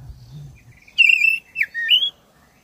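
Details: Oriental magpie-robin of the black-breasted type, singing to stir caged birds. A long, bright whistled note, then a quick dipping slur and a rising whistle, preceded by faint low rumble.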